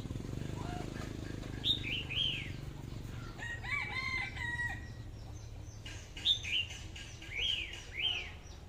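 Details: Red-whiskered bulbul singing slurred, bouncing whistled phrases in two clusters, separated by a stretch of different harmonic chattering notes, all over a low humming background.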